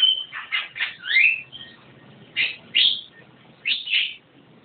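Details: Javan myna in vigorous song: a quick cluster of harsh, squeaky notes with a slurred whistle, then three separate loud rasping calls spaced under a second apart.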